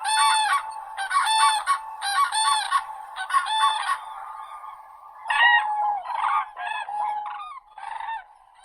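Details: Cranes trumpeting: four strong, ringing, harmonic calls in quick succession, then a looser run of softer, overlapping bugling notes from more than one bird toward the end.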